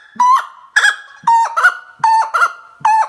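Common gallinule giving loud, harsh, nasal squawks in quick pairs, about every three quarters of a second, with a clucking, chicken-like quality.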